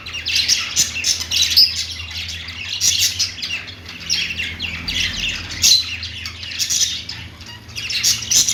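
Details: Pet budgerigars singing on a perch: dense, continuous warbling chatter of rapid chirps and scratchy squawks in bursts, several birds overlapping, with a low steady hum underneath.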